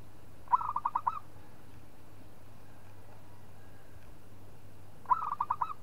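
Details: Local zebra dove singing to challenge a rival: two clean bursts of rapid, evenly spaced hollow coos, about six beats each, roughly four and a half seconds apart over a faint low hum.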